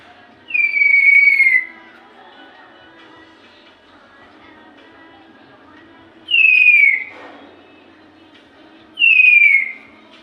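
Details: Lory making a strange sound: three loud, clear whistles, each about a second long and sliding downward, spaced several seconds apart over faint background noise.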